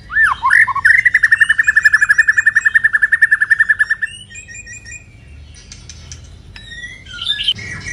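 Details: Moulting white-rumped shama singing kéo thuốc lào: a long, even train of rapid pulsed notes, about seven per second for three seconds, followed by softer high twitters and a final rising flourish.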